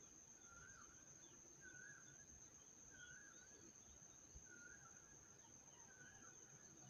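A koel gives faint, short, slightly rising notes about once a second, over a steady high insect whine and rustling background noise.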